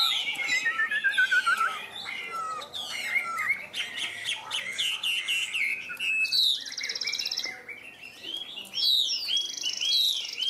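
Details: A Chinese hwamei, a bird that displays with its wings and tail and is praised as a strong, loud singer, sings a loud, rich run of varied whistled phrases, with slurred notes and fast trills that rise and fall without pause.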